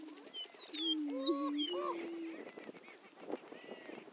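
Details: On the Dunn Ranch Prairie lek in Hatfield, Missouri, greater prairie-chickens give a low, mellow booming moan with a few whooping notes for about two seconds, then only soft scattered calls and rustling remain.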